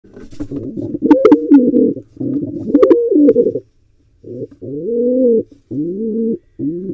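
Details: Wild pigeon at a nest site in an owl and pigeon nest box in Israel, trying to breed; low cooing phrases rising then held, a run of overlapping coos followed by short separate ones, with brief higher bursts mixed in.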